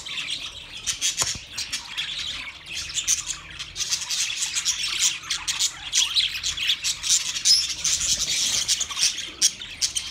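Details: Chorus of budgerigars from twenty pairs, a constant mix of sharp squawks and quick chirps, several birds overlapping in an unbroken high-pitched din.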